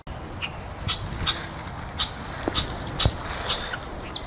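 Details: In midsummer, Red-winged Blackbirds angered by a person picking raspberries near them give short, sharp, high check notes, about twice a second at an uneven pace, over a steady outdoor hiss and faint rustling.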